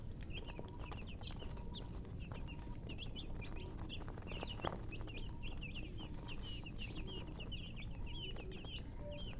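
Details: Several baby chicks cheeping: dense run of high, brief falling peeps throughout, with faint steady tones and a low background rumble.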